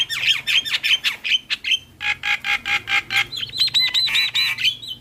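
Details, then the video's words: Javan myna singing busily and nodding, a lure and tutor song for starlings: a steady train of loud, rasping chattering notes about three per second, switching to high ringing whistled chirps near the end. "Jalak Kebo Gacor Manggut2"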